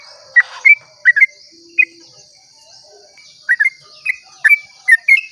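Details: Sooty-headed bulbul singing its long dawn 'ropel' song to draw other bulbuls into singing: sparse pairs of short, sweet, warbled notes with pauses between, over constant high-pitched insect buzzing.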